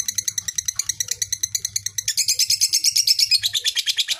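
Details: Lovebird giving a long ngekek, a trill meant to rouse rival fighter birds: rapid, evenly pulsed high chattering notes run on without a break for over four seconds, growing denser and brighter in the second half.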